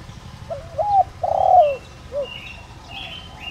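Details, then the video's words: Spotted dove used as a lure for wild doves, calling in the 'đồng rặc' style: a brief double coo, a long husky falling coo, then one short closing note. Higher whistled chirps of other birds follow. "Cu gáy Gáy Gọi giọng ĐỒNG RẶC kích bổi nhanh nổi/kích mồi tập bổi hiệu quả/chim cu gáy mồi"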